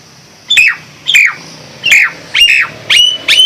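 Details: Five loud, ringing whistles from a Nias hill myna, each a bright note sliding steeply down, spaced roughly every half to three-quarters of a second over a faint low hum.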